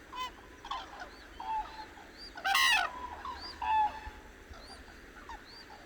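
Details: Dawn chorus of cranes on the Hantan River, Cheorwon, in central Korea: short nasal call notes and one loud trumpeting burst near the middle, with thin high whistled notes from other birds repeating in the background.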